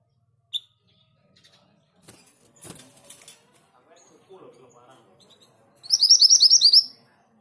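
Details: Orange minivet delivering one loud, rapid phrase of about ten high whistled notes near the end, preceded by a sharp single note, rustling and faint low sounds.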